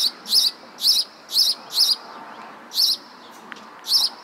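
A sparrow gives bright, high chirps at an uneven pace of roughly one every half second, with a soft hiss of background noise.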